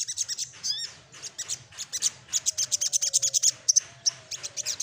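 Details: Lively 'nyecrett ngeroll' song of a little spiderhunter seeking a rival: a long, dense run of high, dry, chattering notes at about three per second, with a few thin whistled slurs mixed in.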